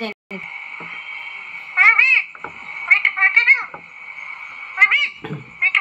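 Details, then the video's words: Talking parrot eating an apple: bursts of bright, arched, squeaky calls in clusters of two to four, separated by pauses, over a constant high-pitched background hum. "Cute talking parrot eating apple । प्यारी सी बोलने वाला तोता"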